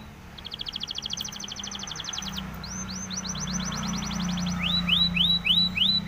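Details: Spanish timbrado canary song for training canaries: a fast trill of short high notes, then a slower series, and finally rising swept notes about two per second over a low hum.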